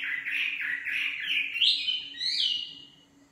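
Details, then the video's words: Singing nightingale delivering a short run of rich, slurred warbled notes that rise in pitch toward the end before fading, with a faint steady hum underneath. "Singing nightingale. amazing bird song"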